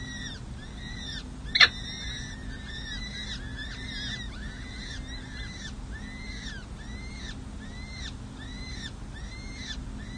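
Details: Nesting peregrine falcons at San Jose City Hall, May 7, 2024, feeding four young chicks. A long series of evenly spaced, arched squealing notes, roughly two per second, with one loud click near the start and a background hum.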